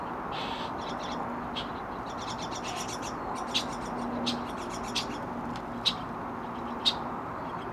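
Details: Chestnut-cheeked starling parents raising young in Hokkaido, bringing food and carrying away droppings, give short, harsh, scratchy chips at irregular intervals, some sharper, over a steady background hiss.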